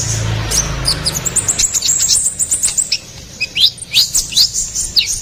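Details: Ruby-cheeked sunbird song for luring and training cage songbirds. High squeaky notes and quick twitters begin over a low rumble that drops away, leaving clearer chirp bursts later.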